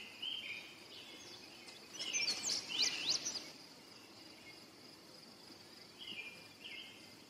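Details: Indigo bunting singing: a burst of high, sharp, quickly repeated notes in mid-clip, with fainter slurred phrases before and after, over a steady buzzing insect chorus outdoors.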